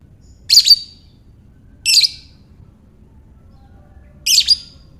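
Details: Lovebird voice for luring others to call: three short, harsh, high-pitched chattering bursts, the first two just over a second apart, then a long pause before the third, over faint background noise.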